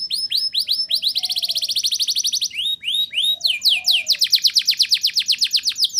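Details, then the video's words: Song of a canary meant to coax young canaries into singing, made of continuous rapid trills of down-swept notes changing tempo between phrases, with faint soft lower notes underneath. "Suara Burung Kenari Gacor Ngerol Nembak! Ampuh Untuk Pancingan Kenari Paud Biar Bunyi"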